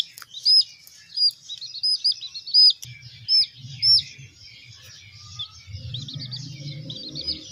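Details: Young chicks being raised as future hens give loud, high, arched peeps spaced about a second apart, then quieter scattered peeps while a low rumbling hum rises beneath them.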